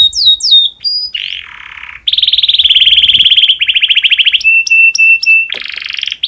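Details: Domestic canary in breeding condition, song used to get other canaries singing: clear whistles lead into a buzzy rasping roll, a long rapid pulsed trill, then clipped high notes and another buzz.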